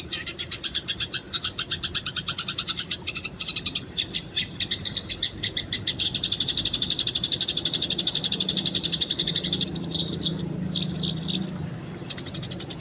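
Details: Eurasian tree sparrows fighting in the wild, recorded for training: long, dense, rapid chattering of high chirps that swells in the middle, then a few sharper separate notes and a closing burst.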